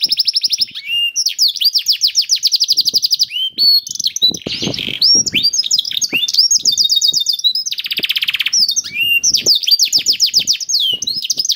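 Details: Canary song used as a prompt to get other canaries singing quickly; fast rolling trills of repeated notes, sharp chirps, buzzy bursts and descending whistled phrases in continuous sequence, with a few faint low clicks underneath.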